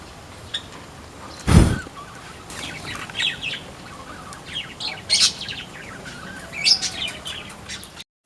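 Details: A weaver newly placed in a mini aviary, Sunday 27 October 2024, gives short, high chattering chirps and scratchy notes in irregular bursts, with one loud broadband thump near the start.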